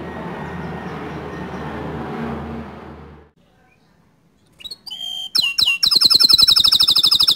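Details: Bottle-green canary singing for training young canaries; after a few seconds of low background rumble and then silence, sharp sweeping notes lead into a fast, loud, high-pitched rolling trill.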